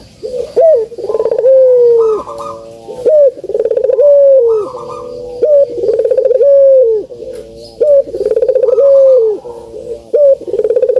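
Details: Barbary dove (puter) cooing meant to stir lazy birds to sing. Low phrases repeat about every two and a half seconds, each a quick pulsed rattle then a smooth falling coo, with faint high chirps behind.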